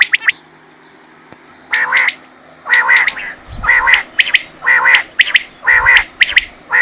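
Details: Quail lure call for hunting: harsh, rasping bursts repeated about once a second, each with a strong high tone. A few sharp clicks sit between the bursts.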